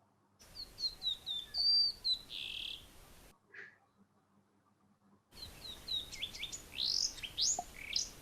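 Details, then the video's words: Huambo cisticola, from Angola, split by BirdLife and unrelated to rock-loving cisticola, apparently close to short-winged cisticola: high, thin chirps and down-slurred whistles with a short buzzy note, then after a pause quick sharp up-and-down notes. "BirdLife has split it as Huambo cisticola, and I'm going to play the call for you now."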